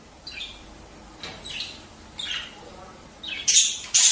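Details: Budgerigar sounds for stimulating breeding: soft raspy chirps spaced out, then two loud, grating squawks close together near the end.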